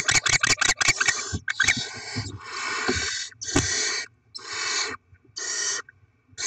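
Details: Barn owls feeding chicks with delivered rodents, 7 February 2024: rustling and clicks at first, then long rasping hisses, each near a second, separated by short silences.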